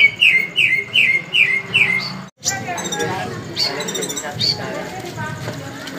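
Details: Tame brown-breasted Brown-throated Sunbird singing actively, recorded as a training recording: five quick sharp chirping notes falling in pitch over two seconds, then an abrupt cut to a busier passage of high twittering notes over low background noise.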